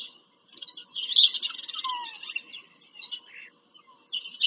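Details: Bald eagles calling during a nest visit in Pennsylvania farm country, 5 February 2023, on a live camera: a dense burst of high, squealing chatter, then shorter chips after a pause, over a faint hum.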